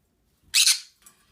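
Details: Green-cheeked conure at home making noises, giving one loud, scratchy two-part squawk followed by a faint short rasp, in a small quiet room.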